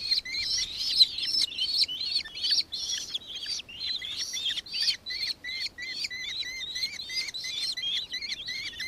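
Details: Nankeen kestrel, Victoria, Australia, December 2024: fast series of piercing kee-like notes, each with a bright upper tone and a lower slurred element, steadily repeated throughout.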